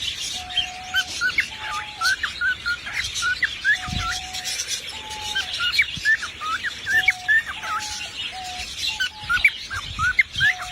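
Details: Rapid chains of sharp, upswept whistled notes from a singing parrot alternate with lower level, sustained whistles repeated every second or two.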